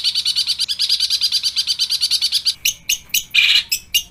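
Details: ['Long-tailed shrike in a full-variation song, rolling fast and dense with kuntilanak, tengkek buto and fighting-sparrow mimicry. A rapid high pulsed trill gives way to loud, harsh, buzzy bursts and chips.']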